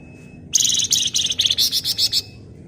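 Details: Flamboyan bird singing in gacor ngebren style: a dense, rapid burst of high, shrill chattering notes lasting about one and a half seconds, with a faint steady tone in the background.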